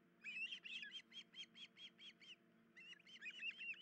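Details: Nest of an osprey pair with chicks, female's leg injured, 10 July 2019; rapid repeated high whistles with slurred, wavering notes, a short gap, then more hurried chirping, steady hum in the background.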